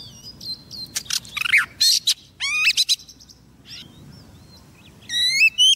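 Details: Decoy female Oriental magpie-robin calling a male for trapping, singing a mix of harsh clicks, rising whistles, and soft scattered notes, ending with a bright, ringing upslurred phrase.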